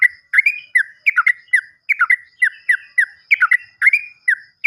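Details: Yellow-vented bulbul used to coax quiet birds back into song: lively chattering of bright, bubbling notes in quick clusters, delivered without pause.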